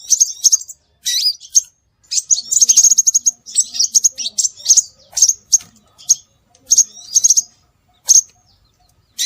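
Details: Scarlet minivet lure calls: rapid trills and sharp high chirps packed into long bursts, then sparser single notes toward the end, with short gaps of silence.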